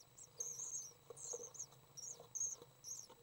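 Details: Young common swifts, three of them, during a May 30th 2012 feeding session: piercing high chirps and short trills in four or five bursts, over a low hum.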